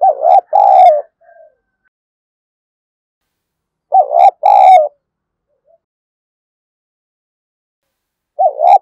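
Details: Decoy spotted dove cooing to stir a rival into fighting; low mellow phrases of a wavering two-part note followed by a drawn-out coo, repeated roughly every four seconds in a quiet setting.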